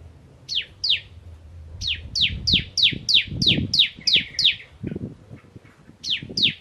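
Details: Crystal-type bar-winged prinia singing 'nembak ngentrok': bursts of rapid, high, downslurred chips, about nine in the main run, over low knocking and rustling noises.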